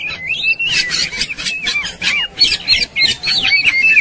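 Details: White-rumped shama singing aggressively in fighting mode: quick sliding whistles and harsh rattling notes delivered in a hurried, uneven stream, roughly three notes a second.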